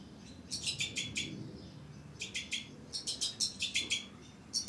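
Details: Captive breeding pair of two-barred crossbills with their young: clipped, bright chirps strung in rapid clusters of several notes, separated by short gaps, over a quiet background.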